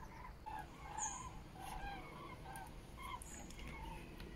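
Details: Flock of common cranes passing over Frankfurt am Main-Preungesheim toward the west-southwest on an overcast, murky October afternoon in 2023, phone-recorded; repeated brief trumpeting calls from several birds over a steady low rumble of background noise.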